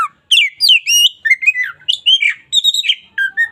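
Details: Local white-rumped shama pouring out a fast, warbling song of slurred whistles and squeaky chatter, notes running together with hardly a break, used as daily tutoring for other songbirds.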